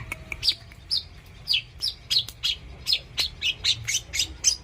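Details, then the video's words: Long-tailed shrike kept as a pet bird, singing actively: a fast series of harsh, high chirps and squeaky notes, roughly three each second, with scattered clicks underneath. "suara burung cendet gacor"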